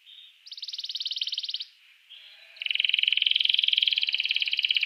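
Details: Canary song used to spur rival canaries to sing: two long, dense buzzy trills, the second louder and sustained, separated by a soft pause, with no other sounds.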